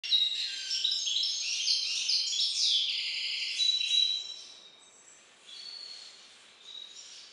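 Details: Caged European goldfinch hybrid from an ornamental and songbird breeder, singing song variant IV: dense, rapid high twittering with trills and buzzy notes for about four seconds, then fading to softer, sparser phrases.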